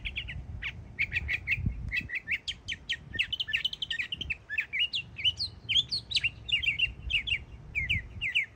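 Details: Yearling mockingbird singing hard in Florida, pouring out a fast medley of sharp chirps, trills and downslurred whistles, phrases changing every second or so over a faint low rumble.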